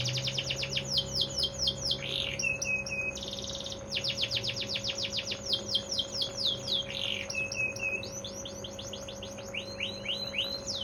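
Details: Bottle-green AF canary, not yet sun-conditioned, from a 45-second singing bout: fast runs of repeated descending whistled sweeps, bursts of buzzy rattles and harsh churrs, with steady low electrical hum beneath throughout.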